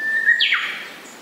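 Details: Japanese paradise flycatcher: a level whistle dropping into a loud, broad, harsh buzz that fades away, with little other sound.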